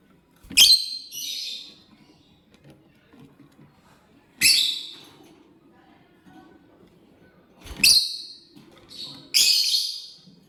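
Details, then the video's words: Lovebird chirping as it eats corn: sharp, piercing chirps in pairs, a burst followed by a shorter echoing note, spread a few seconds apart, with faint low clicks and rustles between. "Lovebird Chirping Sounds: Lovebird Eat corn"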